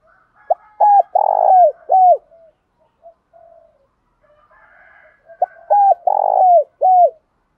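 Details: Decoy Spotted dove cooing to lure and provoke other males; two identical phrases, each a quick note and then three resonant coos ending in a drawn-out falling one, separated by a few seconds of soft murmurs.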